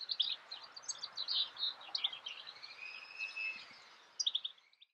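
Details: European goldfinch singing in May 2016 at Escherange, France: a fast, tinkling run of twittering, buzzy notes around mid-high pitch, with a drawn-out rising-falling twitter in the middle and a final burst of quick chirps.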